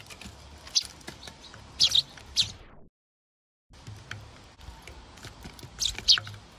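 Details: An angry Eurasian tree sparrow chick at a bird feeder gives sharp, high chirps, singly and in quick pairs, spaced unevenly, with a brief silent break midway.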